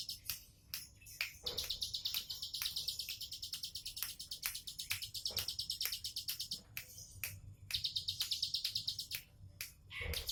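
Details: Bar-winged prinia (ciblek sawah) in a relaxed 'tembakan' style song: long runs of rapid, buzzy high notes pulsing about three per second, broken by short pauses, with sharp clicking snaps throughout.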